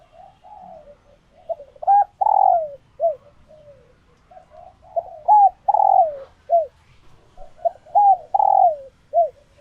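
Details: Kept female spotted doves in full laying condition giving calls meant to excite males; two repeated phrases of clipped notes, a long burred descending coo and short hooked notes, separated by soft low murmurs, clean background.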